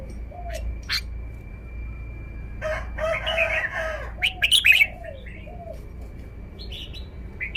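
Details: Red-whiskered bulbul showing off its song phrasing: a short burst of bright, warbled notes after a dense, harsh crowing-like sound in the background, with low looping calls and a steady high hum throughout.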